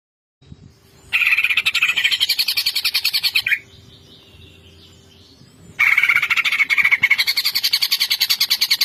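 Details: Greater green leafbird singing in its varied 'bongkar isian' style from Banyuwangi, with loud, fast, buzzy rattling trills repeated in two long bursts and a quiet pause between them.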